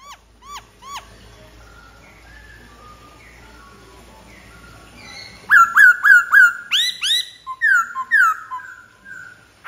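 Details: Soft hooked notes from a Black-throated laughingthrush, a quiet stretch, then a loud rapid series of bright whistled phrases ending in long level tones.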